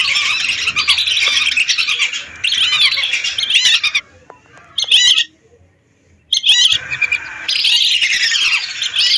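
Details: Lesser whistling ducks by the hundreds, recorded for use as a bird lure; bursts of a thick chorus of high whistling notes, broken by a near-silent gap with a few isolated calls before the chorus resumes.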